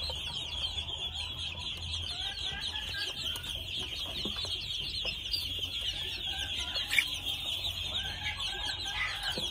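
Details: Two-month-old red junglefowl chicks giving a dense, continuous chorus of high, thin peeps, many overlapping short downslurred notes, with faint low rumble underneath.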